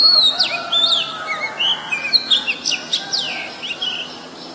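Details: In Ubon Ratchathani, Thailand, on 23 December 2019, an Oriental magpie-robin, a very common resident, gives a quick run of clear, high whistles, some sweeping up and others dropping, packed closely and fading toward the end. Recorded with a Nikon P1000.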